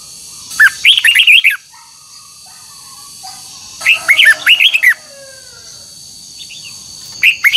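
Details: Red-whiskered bulbul, old and wild-caught, in voice training with twisted double notes: two full warbling phrases of sweet slurred whistles about three seconds apart and the start of a third, with faint softer notes and a thin constant hum between.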